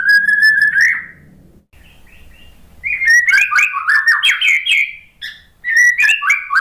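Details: Lure song of a white-rumped shama, meant to prompt a lazy, stressed bird after moulting to respond: one steady whistle, a quiet pause, then a dense, rapid warbling phrase of rich whistled notes.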